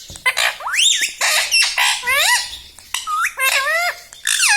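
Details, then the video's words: Pet rose-ringed (ring-neck) parakeet talking, said to repeat words such as "mummy", "mitthu" and "radhe radhe"; loud, rasping, rising and falling squawky phrases in quick bursts with short gaps, some sharp high screeches. "Mummy vala parrot ||me toto me tota parrot singing||मिट्ठू मिट्टू|| मम्मी||"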